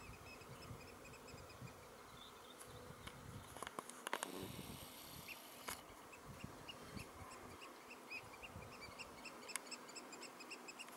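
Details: Three Eurasian oystercatchers piping, 16 June 2016: thin, rapid series of short high notes in the background, interrupted by loud broadband rustling and knocks near the middle.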